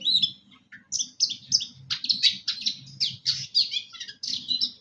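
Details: Long-tailed shrike in full song: dense harsh chattering and quick high notes in bursts about every third of a second, with low rumbling noise beneath.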